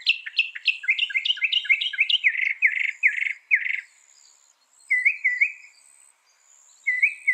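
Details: Northern mockingbird song: rapid sliding chirps give way to a string of harsh buzzy notes, followed after a pause by short rising-and-falling phrases.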